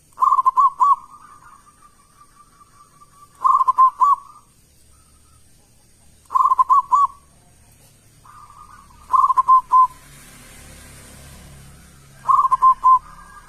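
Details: A local zebra dove in full loud song, played as a lure so other doves reply. Five staccato cooing phrases come roughly every three seconds, with soft trailing notes between them. A brief hiss sounds near the end over a thin constant high tone.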